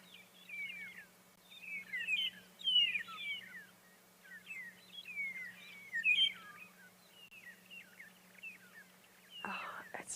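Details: A flock of magpie shrikes, perhaps 10 to 50 birds, at sunrise on a morning safari on 8 March 2022, gives high, liquid, sliding whistles that overlap in a busy chorus, over a steady engine hum and a brief rustle.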